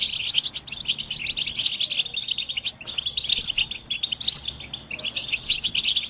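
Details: Goldfinch mating and readiness calls in chorus, aimed at getting males out of silence and singing; continuous high twittering with occasional sharper, clearer notes standing out.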